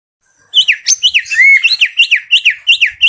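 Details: White-rumped shama singing after a brief silence: a fast run of loud, high, down-slurred whistles, about three per second, broken once by a longer sweeping whistle.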